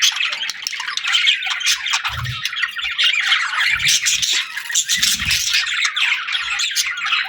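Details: Happy budgerigars chirping and eating together: steady overlapping warble and chatter of many birds, with a few brief low thumps underneath.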